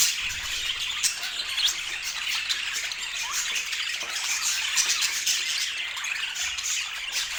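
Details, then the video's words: Continuous high chattering of domestic budgerigars, a busy mix of scratchy squawks and short chirps from several birds, steady in loudness with occasional sharper notes. "O Som dos Periquitos"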